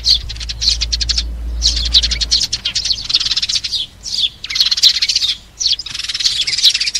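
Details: Sparrow flock call used for trapping: rapid ticking chirp series in separate bursts, louder overlapping chatter later, with a low hum under the first seconds.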